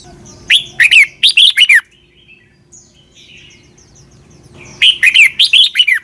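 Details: Thai Red-whiskered bulbul performing a doubled, southern-style master song for young birds to copy. Two lively phrases of rapid warbled notes, clear and loud, separated by about three seconds of quiet with faint distant chirps.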